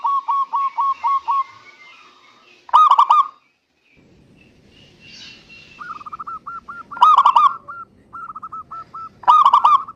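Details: Local zebra dove singing, meant to prompt idle doves to sing: scattered runs of quick hooked coo notes and louder ringing bursts, separated by quiet stretches and soft background rustle.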